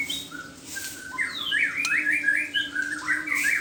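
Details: Morning song from a white-rumped shama: a few thin whistles followed by rapid, jumbled rising-and-falling chattering trills, with a steady background hum.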